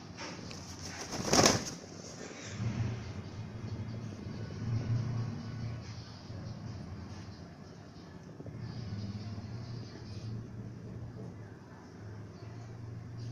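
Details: Pair of fantail (Lakka) domestic pigeons; one gives deep, throaty coos in soft rolling phrases after a brief burst of wing flapping.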